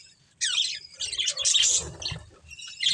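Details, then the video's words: Budgerigars of a breeding pair: after a brief pause, a loud burst of high squeaky chattering with grating notes, then quieter chirps and a final sharp squeak. "Beautiful Budgies Chirping Sounds | Love Birds Breeding Pair | Budgies Family"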